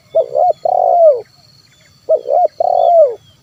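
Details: Lure recording of a spotted dove in 'kuk 1' style, meant to provoke wild and house doves to sing. There are two close phrases, each a pair of short hoots followed by a long, burry, falling coo.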